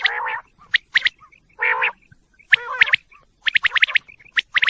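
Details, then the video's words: Several quail call in quick, uneven bursts of harsh, nasal squawks mixed with sharp, high chirps, about one a second; quail calls. "quail calls sounds"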